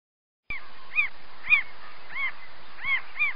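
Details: Mockingbird singing: a short series of arched, harmonic, slightly nasal notes, each repeated about every half second, with a faint steady background hiss.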